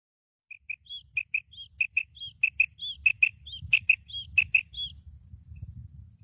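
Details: Female quail calling: crisp, high whistled notes, mostly in quick pairs, alternating with slightly higher slurred notes, about twenty notes in four seconds, over a faint low rumble.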